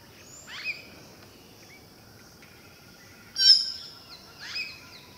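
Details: Southern hill myna, Gracula indica, filmed at Hantana and Udawattekele in Kandy, Sri Lanka, giving piercing calls. A sudden shrill burst sounds mid-clip, followed by a falling whistle. Softer high sliding notes precede it over a quiet background.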